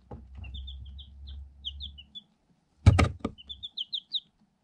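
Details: Day-old Light Sussex chicks, eight in a cardboard box, filmed on a GoPro through a hole they peck at; a string of high falling peeps over a low rumble, then a loud knock followed by more peeping.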